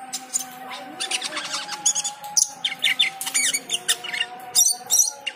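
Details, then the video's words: Cucak keling in full song while the call to prayer is heard: dense runs of rapid high chirps and trills, almost continuous, beneath a steady sung voice of the call to prayer. "Cucak keling teler gacor full isian saat mendengar adzan."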